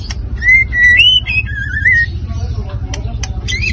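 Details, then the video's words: White-rumped shama giving a provoking song to rile other birds: a few bright whistled slurs, one long wavering whistle, then scattered softer notes and clicks against a constant low background hum. "PACINGAN emosi murai batu pastol"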